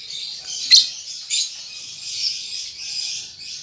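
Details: Young lovebird, a juvenile still learning its ngetik and ngekek chatter, gives a steady high buzzy stream of chatter with two sharp louder chips near the start and middle.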